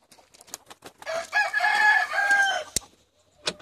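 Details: Rooster crowing as 70 chickens are let out for the day in Longford, Ireland, 25 February 2016: a strong harmonic crow of about a second and a half, flanked by sharp clicks and scattered short clucks.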